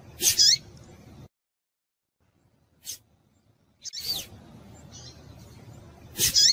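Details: Female double-collared seedeater calling to stimulate males: doubled high chirps at start, a lone tick after silence, then a descending chirp, a faint note and another doubled chirp at the end.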